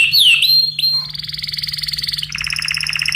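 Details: Yellow canary in excited song: swooping whistled slides, then a sustained rapid trill that drops in pitch partway into a buzzy rolling tour, over a constant low electrical hum.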